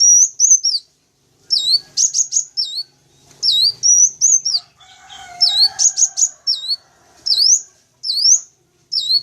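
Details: Wild-sunbird lure recording with sharp, high chirps in V-shaped and upslurred notes, given in clusters of two to five and repeated every second or two; a faint lower warble is heard briefly in the middle.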